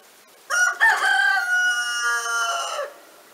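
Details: Roosters crowing during lockdown in Montcuq, France, answering each other for hours, sometimes together; one loud, hoarse crow over two seconds, rising, holding and falling, with a second crow overlapping near the end.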